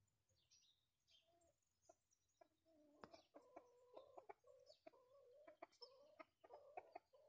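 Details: A chicken out on a leisurely walk makes soft, low, throaty clucks, at first spaced apart and then in quick runs of short notes toward the end. There are faint higher chirps early on and a few sharp clicks.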